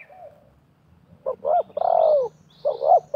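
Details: Spotted doves, one wild and one a decoy, calling against each other at a trapping site: a soft coo, then one loud phrase of two short notes and a long falling coo, followed by the start of another phrase.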